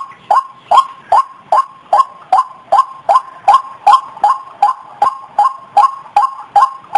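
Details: White-breasted waterhen calling, used to lure birds: rapid, regular croaking notes, around eighteen in seven seconds, each with a brief rising inflection.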